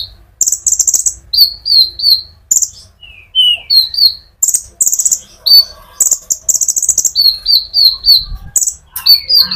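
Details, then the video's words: Konin sunbird singing hard to provoke other sunbirds: alternating buzzy high trills and short downslurred whistled notes in quick series, a lively run lasting several seconds. "pancingan Burung Konin gacor ngerol untuk kolibri ninja ijoan sampe metalik"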